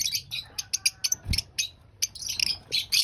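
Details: Lovebird eating breakfast: evenly spaced, clipped, high chirps in a fast series, then denser raspy chatter, with a low thump just after one second.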